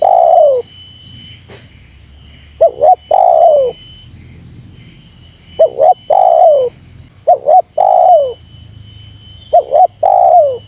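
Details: Calls of a spotted dove meant to rile wild doves: repeated phrases of two brief looping notes followed by a long descending coo, about every two to three seconds, strong and clean against quiet background.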